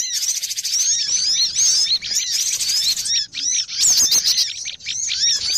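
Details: Cinereous tit lure-call recording used for trapping birds, a noisy, busy chorus: dense overlapping chirps and upslurred whistles, high and sharp, pouring out almost without pause, with brief gaps near the middle.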